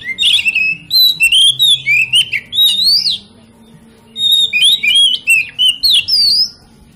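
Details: Kacer song used to stimulate other kacer to sing: two fast bursts of varied whistled phrases, sweeping slurs and sharp high notes, separated by a short gap, with a steady low hum behind.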